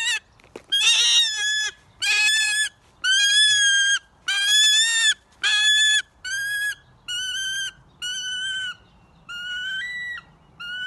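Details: Hand-reared captive female Wahlberg's Eagle, very vocal when she sees a familiar keeper. She gives a long series of about ten drawn-out, strained, harmonic whistling calls, each under a second long and spaced roughly a second apart, loud and steady against a quiet background.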